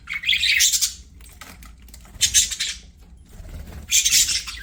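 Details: Budgerigars singing while playing: three loud bursts of scratchy, buzzy chatter, each lasting under a second, separated by quieter pauses with faint rustling.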